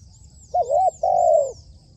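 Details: Trained decoy spotted dove giving one short coo phrase: a quick wavering double hoot followed by a long, steady mellow note. Faint high chirps sound in the background.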